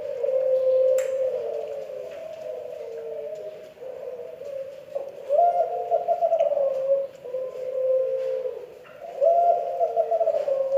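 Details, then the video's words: Spotted dove from Kelantan giving an unusual call: sustained mid-pitched cooing notes with wavering, slightly rising phrases in several bouts, a brief dip around four seconds, quiet background. "Suara Aneh Derkuku Kelantan"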